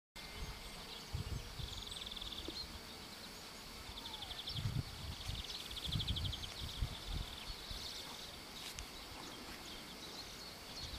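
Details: A young common reed bunting at Mindelunden, Sønderho, on 7 July 2003 gives faint, high, buzzy ticking bursts every second or two, over steady wind rumble and rustling.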